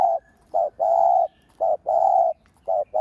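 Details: Decoy spotted dove cooing to stir other doves: short and long low coos alternate briskly, roughly one pair per second, over a quiet background.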